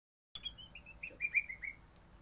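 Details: Crimson rosella of the orange pennant form, a happy pet parrot singing: a rapid run of short clear whistled notes, starting high and stepping gently downward, about a dozen notes in under two seconds.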